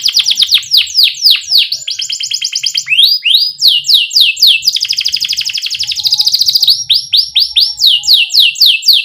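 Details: Young canaries are prompted to sing with this canary song: varied fast trills alternating with strings of sweeping slurred whistles and a buzzy rolled passage, lively and continuous.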